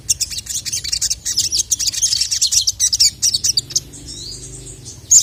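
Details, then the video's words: Agitated sogon (Sogok Ontong) singing to call a male: rapid, very high, sharp chirps and twittering notes in dense bursts, fading near the end with a brief loud note, over a low background hum. "dengar masteran burung sogon memanggil jantan ini"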